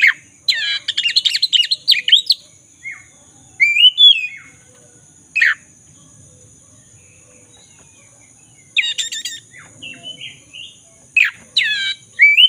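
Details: Black-throated magpie-robin song used as a lure to restore a caged bird's singing: bursts of harsh, buzzy notes with stacked harmonics alternate with clear rising whistles, separated by pauses of several seconds; a faint steady high electrical whine runs throughout.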